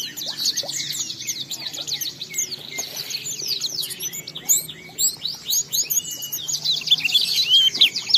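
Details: Oriental white-eye in energetic ngalas song, played as a lure to provoke other white-eyes into singing: a dense, rapid stream of high, thin twittering notes and quick slurred whistles. Faint low hum underneath.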